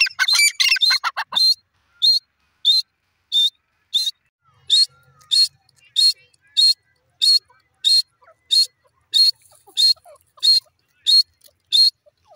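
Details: Grey francolin (dakhni irani teetar) calling: after a brief jumble of scratchy notes, a series of short, sharp, high whistled notes repeats steadily about every 0.65 seconds. A faint low hum is heard in places.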